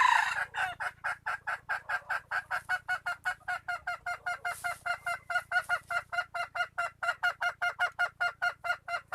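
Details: Junglefowl, 2021: a steady series of short, nasal, honking notes repeated about two to three times per second for several seconds, starting with a louder harsh note.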